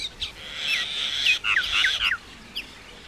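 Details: Indian myna giving a harsh, buzzy churring phrase broken by short gurgling downward whistles, ending with one isolated chirp.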